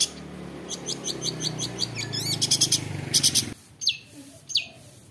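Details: High, clipped chirps and a brief buzzy rattle sound over a loud low rumble that cuts out partway, leaving a few sharp notes. The singer is a wild-caught long-tailed shrike with a 'roll tembak' song that provokes other shrikes.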